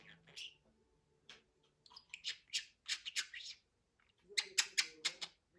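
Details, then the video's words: Budgerigar's talking chatter, a jumble of raspy high syllables and short clicks. A pause is followed by a fast, dense burst of scratchy notes near the end. "MUHABBET KUŞU | DİNLET KONUŞSUN"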